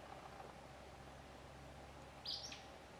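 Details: Male Acadian flycatcher calling in Liberty County, Texas, on May 6, 2017: one short, sharp, high note that rises and falls, then silence over a steady low background hum.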